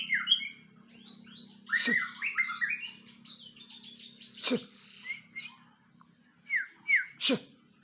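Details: White-rumped shama after moulting, singing a varied run of clear whistled phrases with rising and falling slurs. Sharp snapping clicks sound near two, four and a half and seven seconds, over a steady low hum.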